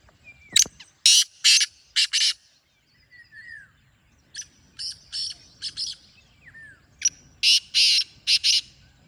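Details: Black francolin repeating its grating call three times: loud harsh phrases of short and drawn-out rasping notes, separated by quieter versions, with brief whistles and chirps of other birds between.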